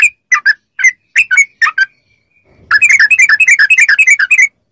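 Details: Yellow-vented bulbul song for training kept bulbuls to reply: a few spaced bubbly notes, a short pause, then a dense fast chatter of liquid chirps.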